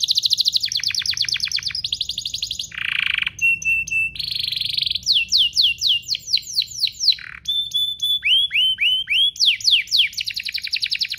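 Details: Two canaries in full song, used to tutor and stir young canaries: quick pulsed trills alternate with buzzy rolls, steady whistled tones and long runs of repeated sweeping notes.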